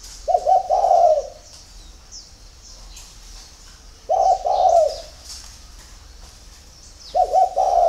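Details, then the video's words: Spotted dove in the early morning giving repeated low cooing phrases, a clipped double note then a long warm coo, about every three seconds, over a backdrop of faint high bird chirps. "CU GÁY SÁNG SỚM"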